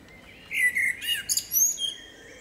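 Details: Loud, close song of a female blackbird in a forest: rich fluty warbles running into bright, high-pitched twittering and a thin upward squeal.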